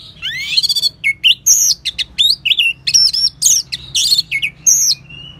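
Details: An orange-headed thrush sings a rapid, unbroken stream of varied whistles, chatters and trills. The clip begins with a buzzy, rising trill. Keepers use this song to spur other birds into singing.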